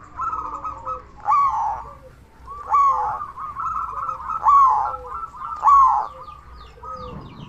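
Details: Loud local zebra dove used as a lure to stir other zebra doves into calling; rolling trills broken by four strong rising-falling notes about every one and a half seconds.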